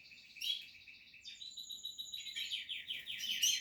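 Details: Portuguese harlequin canary nestling chicks, captive-bred, calling from the nest: high thin chirping notes in rapid repeated trills, shifting pitch after a second, steady and layered.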